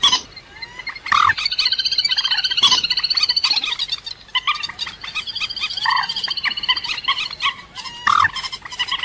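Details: Lure recording of a rail: long trains of rapid, even, rattling pulses rising and falling in loudness, with harsher louder notes interrupting and an abrupt loud burst near the end.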